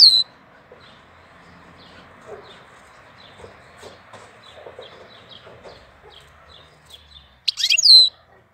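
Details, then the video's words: April birdsong: a series of faint, short high chirps over a low rumbling hum, ending in a sudden loud, sharp whistled sweep. "Cântec sticlele luna aprilie"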